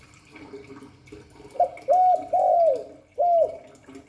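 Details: Cooing spotted dove, Hạp Bổi voice style: after quiet background murmur, a short coo, a hooked note and a long sliding coo, then a final rounded coo, all low and mellow.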